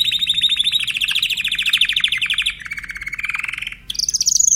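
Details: Timbrado canary song: a long rapid metallic roll that shifts lower in pitch midway, pauses briefly, then resumes with a higher trill.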